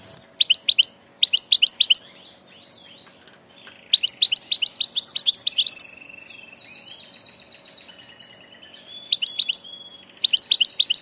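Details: European goldfinch on migration giving bursts of tinkling twitters separated by pauses, with a nasal buzzy trill in the middle and quieter chatter between phrases.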